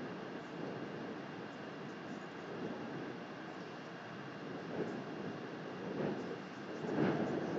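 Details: Continuous hissing wind and broadband noise that swells slightly toward the end, with no clear animal voice.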